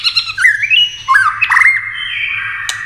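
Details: White-rumped shama in fast competition singing with wing flicks and tail play: dense, loud run of slurred whistles and chatters, ending in a long steady whistle and a sharp click, low hum behind.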